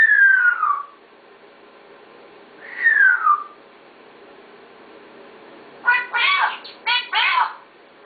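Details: Two clear descending whistles from a talking parrot, spaced about two seconds apart, then a rapid string of raspy, speech-like syllables.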